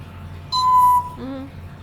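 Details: {'text': 'Pet African grey parrot kept as a talking bird, humming a song: one steady, pure whistled tone held for half a second, followed by a lower, shorter hum-like note in a quiet room.'}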